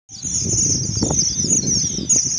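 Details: Strawberry finches singing in Karachi: a dense, unbroken high-pitched twittering chorus that wavers slightly throughout, over a soft low rustling and fluttering background.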